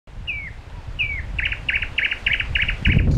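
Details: A single wild common nightingale sings at 22:30 on 31 May at Solbjerg Sø, Denmark. Two sliding, falling whistles lead into a rapid run of six repeated chunky notes. Low wind rumble underneath.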